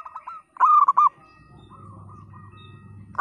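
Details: Local zebra dove with a split, broken song, played to get silent birds singing. A single loud stuttering coo phrase near the start is followed by a soft, drawn-out cooing tail and a low rumbling hum.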